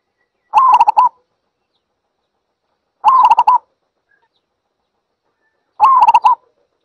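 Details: Zebra dove giving three short phrases of soft, rapid trilled coos, each about half a second long with four or five quick notes, repeated roughly every two and a half seconds against a silent background.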